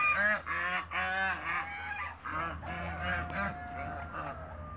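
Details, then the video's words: African geese in a backyard meeting other waterbirds: loud nasal honks repeated about four times per second in uneven bursts, ending with a long drawn-out steady note, over a faint low hum. "MEETING AFRICAN GEESE AFTER THE CREATE WATERBIRDS IN THE BACKYARD"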